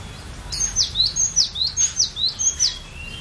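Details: Cinereous tit (glatik batu), a collection bird, in varied chattering song used as a lure to prompt other birds to sing: a string of about seven sharp, high downslurred whistles alternating with short rising notes, paced quickly and evenly.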